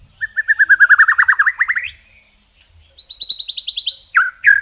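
A white-rumped shama sings a fast run of about fifteen sweet notes that speeds up and rises. A higher, falling trill follows, then two rich slurred whistles.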